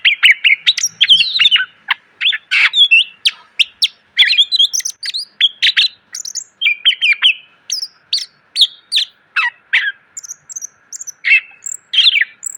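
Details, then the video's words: Long, continuous outpouring of greater green leafbird song for cage bird training, crowded with fill phrases: fast chips, trills, slurred whistles and very high thin notes in rapid succession, with a low hum throughout. "MASTERAN CUCAK IJO SUARA PLONG!!! ..penuh isian.."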